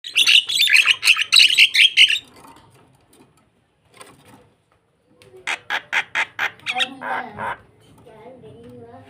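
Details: Starling calling to lure another bird: a dense burst of harsh, chattering high notes for about two seconds, a pause, then a run of about seven evenly spaced squawky notes and lower rasping notes.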